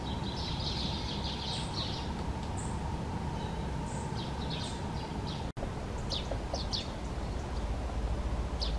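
Great spotted woodpecker giving short, sharp, high 'kik' notes at irregular intervals, over a steady low rumble and a constant hum.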